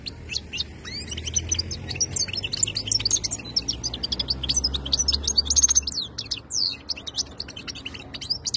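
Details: Singing European goldfinch of the khalawi (wild) type, recorded 2022, giving a long, lively jumble of tinkling twitters, sharp chirps and buzzy trills, with a soft low hum underneath.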